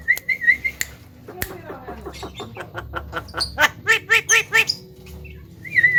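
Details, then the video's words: A talking Javan myna, said to outdo a hill myna: a trilled high whistle, then a quick series of about a dozen harsh, clipped syllables accelerating into loud chattering notes, ending with another whistle. "JALAK KEBO VIRAL BURUNG BEO SAJA KALAH DENGAN SUARANYA"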